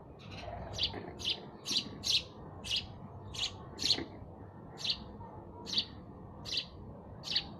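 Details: Sparrow chirping call: a steady run of about a dozen crisp, high chirps spaced roughly half a second apart against quiet background hiss.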